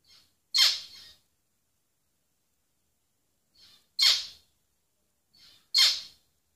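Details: Zebra finch repeating a loud, nasal, squawky call three times, spaced about one and a half to three seconds apart, each preceded by a soft, short note.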